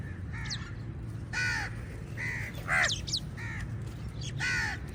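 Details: Crows squabbling with eagles for food give a rapid series of harsh, overlapping caws from several birds, with higher squeaky notes between them and a low background rumble.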